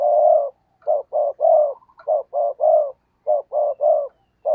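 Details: Spotted dove used as a decoy, cooing steadily to attract wild doves: a rapid series of low, hoarse coo notes in grouped phrases, about eleven notes in under five seconds.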